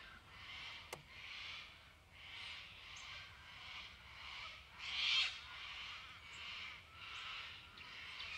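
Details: White-winged chough recorded in Victoria, Australia, in May 2010: loud, hoarse rasping bursts repeated roughly every 0.8 seconds, swelling and fading in a steady rhythm, with one sharp click near the start.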